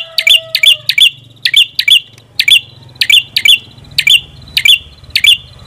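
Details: Red-headed prinia (prenjak kepala merah) uttering clipped, twangy chip notes, often doubled, repeated steadily over a faint low hum.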